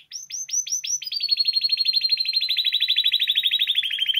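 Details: Spanish timbrado canary singing for song training: a fast series of rising notes, then a long rolling trill of rapid repeated pulses sliding slowly downward, loud and clear throughout.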